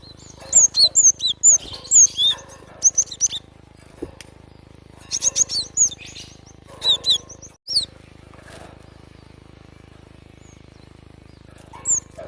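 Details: Java sparrow delivering rapid runs of thin, high whistles and slurred chips in the first seconds, then a later burst, followed by a long quiet stretch with one final note.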